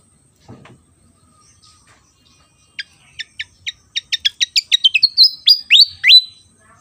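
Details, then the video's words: Javan fantail singing vigorously: a few spaced, sharp high notes that speed up into a rapid run of bright chips, ending in loud downward-slurred whistles; a soft low thump near the start. "burung SIKATAN JAWA//SIKATAN KIPAS gacor"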